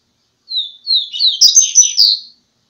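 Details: Double-collared seedeater song: a quick two-second run of high, thin whistled notes that builds into fuller, buzzy warbled phrases, delivered cleanly against silence.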